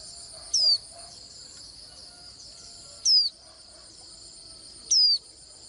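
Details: Swinhoe's white-eye giving a thin, high whistled note that slurs downward, three times at uneven gaps of two to three seconds. A steady high insect-like hiss runs beneath.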